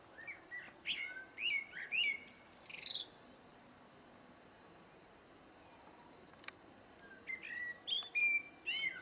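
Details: Singing blackbird giving two phrases a few seconds apart, each opening with mellow fluting whistles and closing in a thin, scratchy, high-pitched twitter; quiet pause between phrases with one sharp click.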